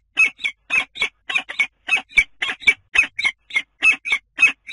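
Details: Common kestrel at a nest on the Dunea water tower in Scheveningen, Netherlands, 10 April: harsh, squealing calls repeated rapidly in pairs, about fifteen bursts in under five seconds, with no other clear sounds.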